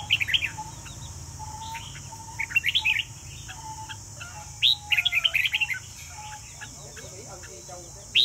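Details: Vietnamese red-whiskered bulbul singing in competition: clusters of quick sweet chirping notes, a rapid run near five seconds, then a sharp final note, over a constant high hiss and low hum.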